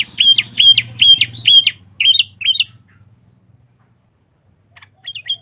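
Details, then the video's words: Sooty-headed bulbul in lively song, used for training caged birds: a quick run of six bright, two-part whistled notes at about three per second. A pause follows, then one fainter note, over a soft low rumble. "Suara Burung Kutilang Gacor"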